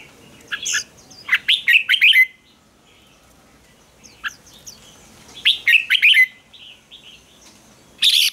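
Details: Red-whiskered bulbul fighting song used to train birds: two bright warbling phrases of rapid whistled notes separated by several seconds of near silence, with a short burst at the end.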